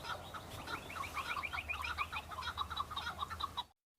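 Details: Several male Chukar partridges on Bamo mountain, Kurdistan, fighting and displaying to females in breeding season: dense, overlapping chuck notes repeated rapidly in a rolling chorus, with a low steady hum underneath.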